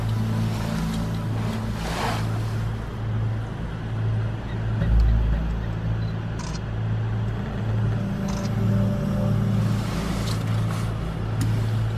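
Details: Steady low engine drone with rumbling, like a vehicle or boat motor, and no clear animal calls.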